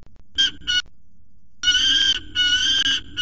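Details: A young male peregrine falcon, still being trained by his parents, screams aggressively after chasing his mother off the nest scrape and demanding food, 12 December 2019: harsh, grating screams, two short bursts then longer raspy wails, over a faint hum.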